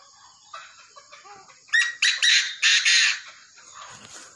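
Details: A tame Chinese francolin gives a harsh, strident series of about five grating notes, rising in loudness and ending abruptly. Soft chirps of other birds precede it.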